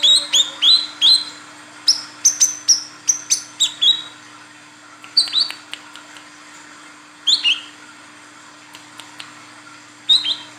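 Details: Female olive-backed sunbird calling the male: rapid strings of sharp, high upslurred chirps and clipped ticks, dense at first and then more spaced out, ending with a pair of chirps; faint constant hum.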